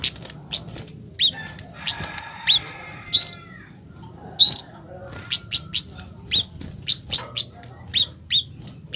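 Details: Red-capped flowerpecker (Javan flowerpecker) giving a harsh provoking call meant to make other flowerpeckers respond: rapid series of sharp, high, scratchy 'cit' notes in bursts, with a brief upslurred whistle and a pause mid-way.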